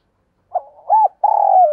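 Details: Decoy spotted dove cooing and calling to lure wild doves: a short phrase of low mellow hoots, a brief note, then an arched coo and a longer sustained coo that slurs downward at the end.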